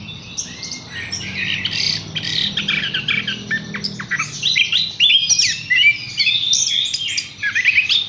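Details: Horsfield's bush lark pouring out a busy, high-pitched song of quick chirps, short trills and downslurred whistles, growing louder toward the end.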